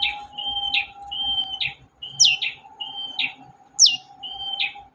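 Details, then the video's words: Long-tailed shrike singing to lure a silent shrike into song: level whistled notes, each ending in a buzzy flourish, repeated about every 0.8 seconds, with two higher downward swoops mixed in, over a steady low hum. "BURUNG CENDET GACOR DOR, pancingan ampuh cendet gak mau bunyi"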